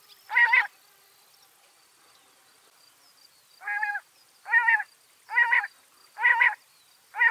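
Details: Washington State backyard bird repeating rough, nasal squawks, one isolated call followed by a pause, then a steady run of five grating notes roughly a second apart; surroundings otherwise quiet.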